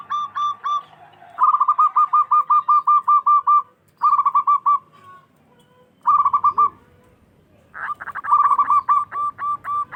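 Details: Big-voiced local Zebra Dove singing to make rival doves answer: long fast strings of short even coos, about four per second, broken by rolled trilling phrases and brief silences.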